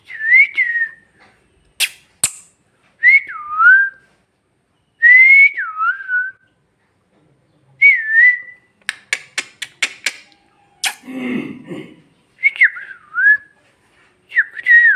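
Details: Talking pet parrot in Bhojpuri, giving repeated whistled phrases that rise then drop in a dip, with quick clicks and a raspy noisy burst between phrases, indoors.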